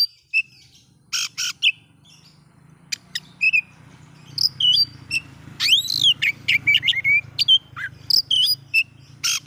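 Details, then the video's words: Oriental magpie-robin singing to stir up other magpie-robins: harsh rasps and clicks, then a loud arching whistle and a rapid string of varied whistled notes, with a low rumble beneath. "bikin Kacer Lain ikut emosi coba buktikan dengan suara ini"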